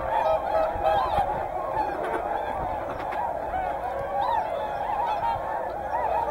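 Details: Hyoko, Niigata: a crowd of whooper and tundra swans calls nonstop. Clear wavering trumpet notes rise above a dense bed of overlapping honks from many birds.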